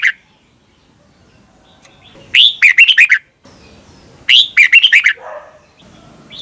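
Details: Caged Red-whiskered bulbul from Thailand singing its doubled song for young birds to learn. Two crisp phrases of fast, rolling whistled notes about two seconds apart, over a soft background hiss with a faint low chirp.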